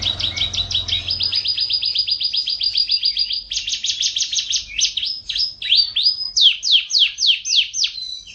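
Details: Canary master recording used for training, long, lively champion-style singing: fast buzzy trills at a steady pitch shift into quicker rattling runs, then into louder, slower downward-swooping whistled notes, with a faint low rumble at the start.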